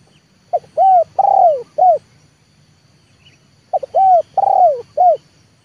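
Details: Trained spotted dove for luring repeats its four-part coo twice, about three seconds apart: a quick lead note, an arched coo, a long drawn coo that sinks in pitch, and a short final coo.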